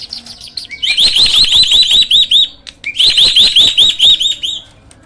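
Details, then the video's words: Caged hybrid jalak (myna) singing as a master bird for training other birds: two loud bursts of fast, rising whistled notes repeated in a rapid chain, with a brief pause between the bursts. "JALAK HYBIRD GACOOR!! MASTERNYA PARA JUARA."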